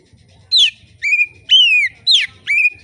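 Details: Relaxed oriental magpie-robin song meant to draw song from other magpie-robins: five loud whistled phrases about half a second apart, each a sharp downslurred note or a sweeping whistle falling away, over faint low background murmur.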